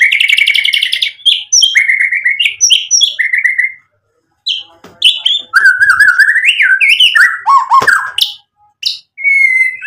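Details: White-rumped shama, a lively singer used as a lure to provoke replies and show off its varied repertoire: rich, fast song mixing trilled whistles, rising and falling slurs, and sharp chips, with a brief pause midway.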